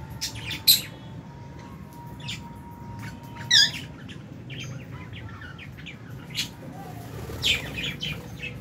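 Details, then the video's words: Lovebirds feeding together in an aviary in January, albino, Fisher's and lutino among them; short, sharp chirps and squeaks scattered irregularly, a few louder ones, over a faint hum. "Lovebird Meal Time- Lovebird Chirping Sounds"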